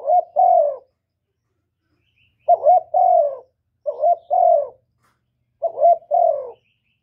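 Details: Spotted dove coo call played to lure wild doves: four paired coos, each a short upward note followed by a longer descending coo, spaced one to two seconds apart, faint low hum.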